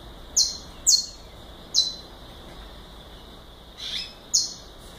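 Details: Galador-style song of a saffron finch, five high downward-slurred notes spaced irregularly across a few seconds, with a constant hiss beneath.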